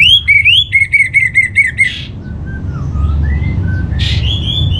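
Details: Orange-headed thrush lure song to prompt kept birds to sing. It opens with loud rapid repeated whistled notes after a rising slur, then quieter scattered whistles and a short buzzy burst follow.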